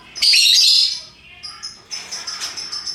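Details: Lovebirds of many colours, hooked-bill birds, giving ngekek chatter: a loud, dense, shrill burst of rapid squeaky notes, then softer high whistles and twittering.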